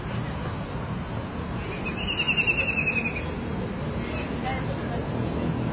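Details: Single high, rapid, descending trill of a White-throated kingfisher (Halcyon smyrnensis), lasting just over a second, partly masked by a constant low hum and rumble.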